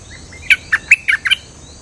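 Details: Cream-vented bulbul delivering six clear, liquid chirping notes in a brisk bubbly phrase, each note short and slurred, over a quiet backdrop.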